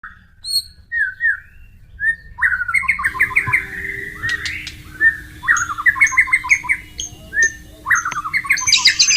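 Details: Wild white-rumped shama singing beside flowing water: varied phrases of clear whistles and quick warbled trills in a mid-high register, several seconds apart, with a steady low tone and soft water noise beneath.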